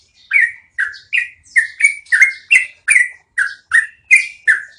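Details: Yellow-vented bulbul giving a long rolling song (ngeroll panjang), recorded as training audio for cage birds: a steady run of twelve loud, downslurred whistled notes, about three per second, each with a brief sharp high overtone; otherwise quiet.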